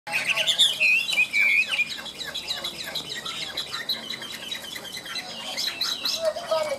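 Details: Caged Chinese hwamei singing in the high-pitched "ngũ trường" style: loud whistled and slurred phrases at first, then softer rapid chirps and a final descending whistle.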